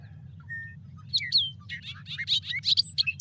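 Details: Bobolink (Dolichonyx oryzivorus), a long-distance migrant from Argentina, singing its bubbling, jangling R2D2-like song: a rapid tumble of metallic, electronic-sounding notes jumping up and down in pitch, over a low steady hum.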